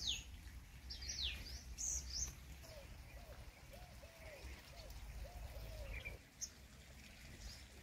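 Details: Purple sunbird in Ranthambore National Park, Sawai Madhopur, Rajasthan, India, giving sharp, high, down-slurred chips in a quick burst, then a run of soft, low, mellow notes from another bird over a steady background rumble.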